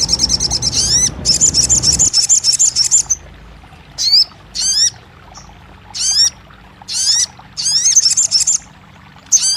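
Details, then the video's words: Crested jay calls used to coax a non-singing bird into voice: a short rapid high trill, then separate bursts of sharp down-slurred high notes repeated about once a second, with low noise at the start. "TERAPI RAJANYA SOGON MACET BUNYI | 1 Jam Langsung Buka Patuk & Nyahut!"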